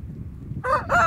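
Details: Brahma chicken, İsabel colour, with a crow of harmonic bands beginning partway through and rising to a strong, steady tone at the end, following low rumbling background noise.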